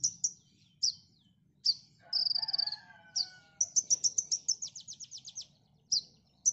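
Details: Konin singing for songbird training: crisp high chips, a buzzy sustained note, then a fast stuttering trill of descending notes, while a lower drawn-out whistle sounds faintly underneath.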